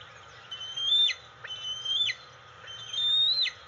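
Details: Female juvenile bald eagle, twelve weeks old, perched on a ladder post in an attic nest at dawn on June 25, 2020, whining and throwing a tantrum for her nearby mother: thin, high whistled whines that hold level then drop sharply, about one per second.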